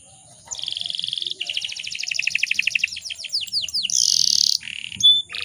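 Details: Canary female in breeding condition, calling so that males start singing: a rolling pulsed trill, then a fast twittering series of falling notes, a harsh high buzz and a brief whistle.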